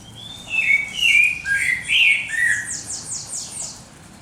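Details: Birds singing at dawn: clear whistled notes sliding downward in several phrases, with a run of high, rapid repeated trill notes above, over a steady low background hum.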